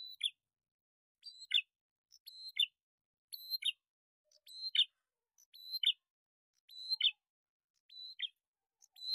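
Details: A calling series from a male and female bar-winged prinia pair, used as lure sound: eight repetitions of a brief high, flat whistle snapping into a buzzy chip, spaced a little over a second apart and otherwise quiet.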